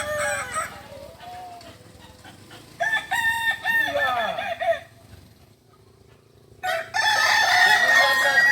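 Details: Kukuak Balenggek roosters from Solok, West Sumatra, crowing during a practice meet. Soft crows at first, then a clear sequence of arched, repeated syllables, a near-silent pause, and a loud, bright final burst.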